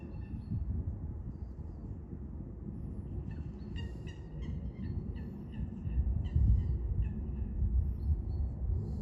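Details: Coots fighting, with other birds by a river: after a quiet start, a burst of quick, clipped, nasal notes repeated roughly three times a second from the middle onward, with low background rumble and a few dull knocks.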